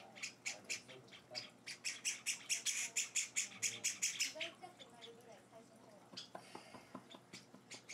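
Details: Young Java sparrows, several chicks on their fourth day at home, beg during hand-feeding: a rapid, rising burst of rasping high chips that fades out and gives way to a person talking.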